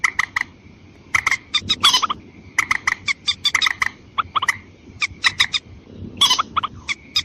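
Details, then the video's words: Watercock call played as a lure to attract females and males. Rapid series of harsh, gobbling clucks repeats in bursts, separated by short pauses. A faint continuous tone and low rumbling noise run throughout. "Pikatan burung mandar ayam ayaman betina dan jantan auto nyamperin"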